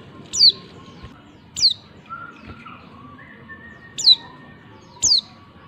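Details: Female white-eye calling to spur males to sing: five quick, high-pitched notes, each dropping steeply in pitch, at uneven spacing. Faint tonal whistles and a low hum lie beneath.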